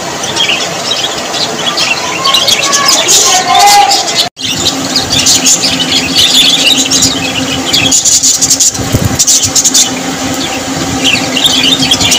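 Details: Budgerigar flock twittering continuously with high chirps and warbles, a brief silent break near the middle, then steady chatter over a low hum.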